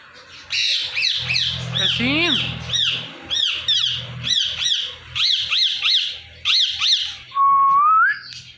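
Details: Tame pet parrot speaking while dancing: a string of loud, evenly spaced raspy squawking syllables over low hum, ending with a smooth upward whistle.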